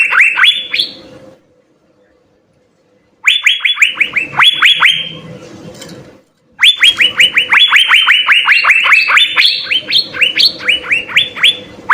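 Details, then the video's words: Asian fairy-bluebird in full song with fill-in phrases, a master recording for training songbirds. Three bursts of rapid upslurred whistles separated by silent gaps, the last a long, dense sequence with higher notes mixed in. "suara 4 CUCAK BIRU GACOR full isian SI BURUNG SURGA"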